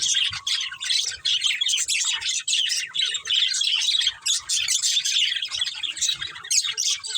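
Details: Budgerigars in a breeding pair chirping continuously: dense, scratchy twittering and short warbled notes overlapping without pause, with brief quieter gaps near one and five seconds.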